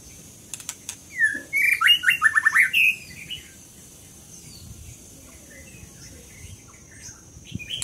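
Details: Scarlet minivet singing one short burst of bright whistled notes, a rising slur followed by a quick run of down-slurred notes, then quiet with faint chirps later.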